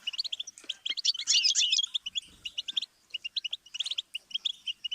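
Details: Goldfinch singing a training phrase for song learning: fast, irregular chirps about three to four per second, with a tight buzzy tangle of notes midway and a short gap before resuming.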